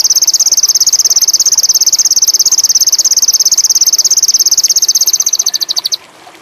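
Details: Sogon indigo, a bird in high mating condition, delivering a long, very high, rapid pulsed trill of even buzzy notes that slows slightly near the end and then stops.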